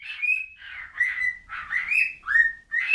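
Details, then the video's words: Bird giving a few rough chirps each sliding into a clear drawn-out whistle, roughly one phrase every half second. "whistling bird"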